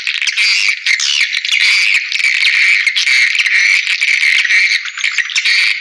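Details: Swiftlet calls played back to attract swiftlets into bird houses: a dense, continuous high-pitched twittering of rapid overlapping chirps and buzzy squawks, with short rasping bursts that barely pause throughout.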